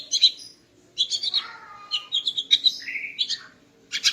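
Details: A female greater green leafbird sings in the morning to stir the male: chattering bursts, a descending slurred whistle, then a run of quick bright notes ending in a harsh burst.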